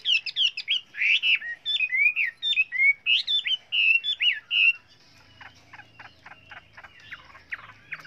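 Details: Chinese hwamei song of varied voices: a run of bright, looping whistled notes about two per second, then a quieter stretch of rhythmic clicking sounds.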